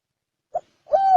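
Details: Spotted dove in 'chuông đồng' (bronze bell) voice, cooing to stir up males and females: a short clipped note, a pause, then a sustained, level, hollow coo.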